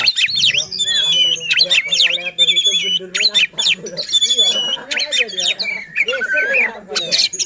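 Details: Provocative oriental magpie-robin song used to goad other magpie-robins into singing: dense, loud stream of high whistles, sweeps, and chattering notes, with low human voices talking underneath throughout.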